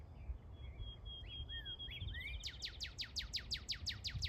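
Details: Northern cardinal producing Star Wars-like sounds: a steady thin high whistle with short upslurred chirps, then a quick series of about eleven steep downslurred laser-like notes; low background noise.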